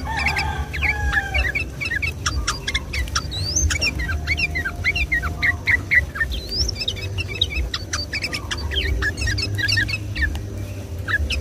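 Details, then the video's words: Sooty-headed bulbuls in lively, rapid 'gacor ropel' song on a Sunday morning, a lure for the same species. Many overlapping bubbly, hooked chirps, some rising whistles, pour out continuously, with a low rumble beneath. "suara trucuk gacor ropel"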